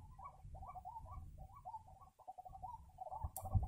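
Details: White-breasted waterhen, filmed around bird trapping, giving a series of short nasal croaks in quick succession, quieter and uneven, over low rumbling noise, ending with a sharp click.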